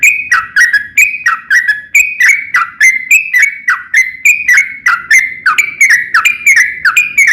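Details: Long continuous sooty-headed bulbul song meant to make other bulbuls sing back: a steady run of short whistled notes, each dropping in pitch, repeated about three times a second with little variation.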